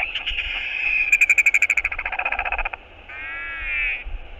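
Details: Courtship skycall of a northern royal albatross greeting its returning partner on camera: a rapid clattering rattle of about fifteen pulses, then a drawn-out, wavering harmonic moan, with wind buffeting underneath.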